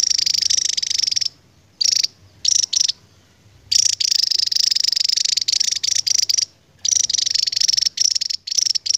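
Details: Javan tesia, an endemic bird, in long 'ngebren' song: nearly continuous high, rapid buzzing trills running several seconds at a time, with a few short pauses.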